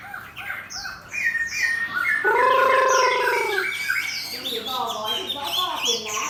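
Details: With a fighting bird placed next to it, a caged Chinese hwamei mixes quick high chirps with a long, loud, steady ringing whistle mid-phrase, then returns to scattered varied notes.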